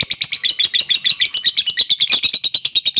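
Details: A lovebird's lure song meant to set reluctant lovebirds calling: fast, evenly pulsed high-pitched chattering, roughly eight notes per second, continuous and loud throughout.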